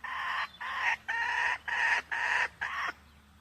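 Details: Red junglefowl hen calling, with a decoy hen luring a wild hen. Six loud, nasal, clucking notes, each about half a second long, come at a steady pace with short gaps between them.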